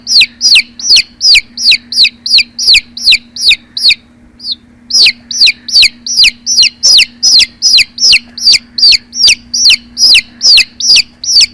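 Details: Chicks chirping insistently, each peep a piercing downward-sliding note, delivered in a quick regular series with one short pause, a low steady hum underneath.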